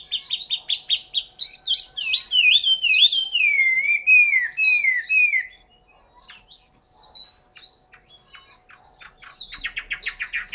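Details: Captive Chinese hwamei from Hanoi, Vietnam, delivers a long, varied song: rapid clipped notes building into rolling, wavering whistled phrases for over five seconds, then a pause and quieter scattered notes and a short trill.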